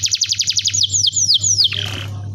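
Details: Canary singing to stimulate young canaries: a quick run of repeated descending notes, slower falling sweeps, then a softer buzzy phrase, with a constant low hum in the background.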